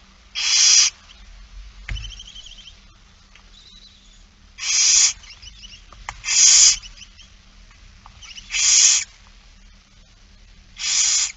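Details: Barn owls begging while being fed, It Fryske Gea, 8 September 2019: five loud rasping hiss-screeches spread over eleven seconds, with soft chittering notes and a brief knock between them.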